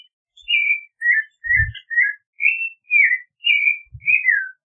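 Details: Clay-colored thrush singing a steady run of clear, slurred whistled phrases, each about half a second long, dipping and rising around mid pitch, with two brief low thumps partway through.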